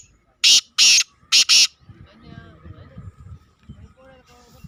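Black francolin giving four loud, harsh, grating notes in two quick pairs within about a second, followed by faint background murmur and low rumbling.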